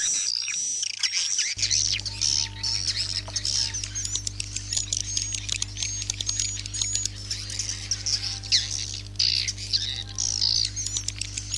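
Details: Swiftlet-house roosting call of the edible-nest swiftlet: continuous high, buzzy, twittering chirps and ticks, played to keep swiftlets overnight, over a steady low electrical hum.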